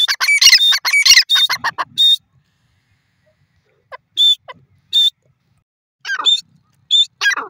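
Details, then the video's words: Grey francolin (desi teetar) giving a long call: a dense two-second burst of loud, shrill, harmonic notes, then a pause and spaced high whistled notes mixed with short falling, slurred phrases. "grey francolin long vioce,desi teetar awaz"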